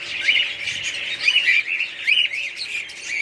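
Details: Several pet budgerigars chatter in bursts of high, squeaky warbling notes that rise and fall, closely overlapping with no gaps between callers.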